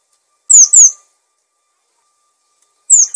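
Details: Cinereous tit singing for training and luring other birds: two very high, piercing down-slurred whistles in quick succession, a pause of nearly two seconds, then another pair beginning, with a faint steady hum underneath.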